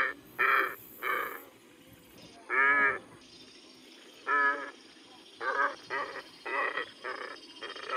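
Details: Glossy ibis (Plegadis falcinellus) giving a series of hoarse, nasal grunting calls, short and irregularly spaced, with one longer drawn-out note; faint background hiss.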